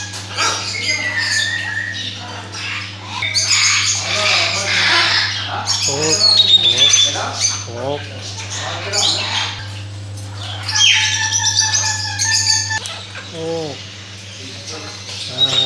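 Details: Parrot giving harsh, rasping squawks and screeches in quick irregular bursts, with a few short whistled tones between them, over a steady low electrical hum indoors.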